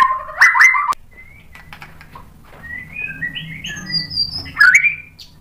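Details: White-rumped shama lure song: loud harsh chattering notes at the start, then softer whistled phrases and a final loud burst over a low hum.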